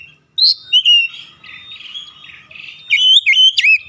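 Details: Oriental magpie-robin song used as a lure to set other males singing hard, a lively mix of clear whistled notes, buzzy rattling phrases and quick upslurred chirps, delivered in fast varied bursts.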